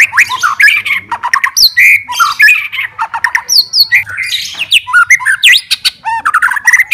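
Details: Murai batu (white-rumped shama) described as a super fighter seeking a rival, singing so other shamas turn agitated; rapid varied song of sharp upslurred whistles, harsh notes and chatters packed densely, with a faint low hum beneath.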